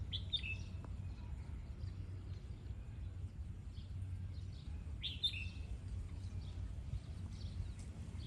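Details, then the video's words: Lụp-style song practice by a red-whiskered bulbul: a quick, liquid whistled phrase near the start, then a quiet gap of several seconds before a second, louder warbling phrase, with faint chirps and constant low background hum. "Dợt lụp chào mào"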